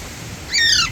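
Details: Alexandrine parakeet sitting on an electric wire gives one brief grating squawk that rises sharply then drops away, set against low rumbling background noise.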